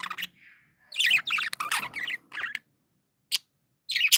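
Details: Cheerful pet budgies chirp with a short whistled note, then a dense run of buzzy, chattering chirps, ending in isolated sharp chirps.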